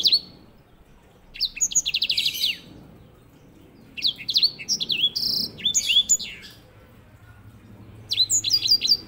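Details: Grey singing finch (white-rumped seedeater), a master songbird for teaching canaries; bursts of high sweet twittering and fast trills separated by quiet gaps of about a second or more.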